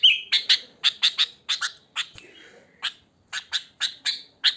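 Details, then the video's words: Sooty-headed bulbul natural song with no added mimicry, used as a lure: a brisk series of sharp chirps, steady then broken by a short gap, resuming in evenly spaced notes. "Suara Kutilang Asli Alam Tanpa Isian Gacor"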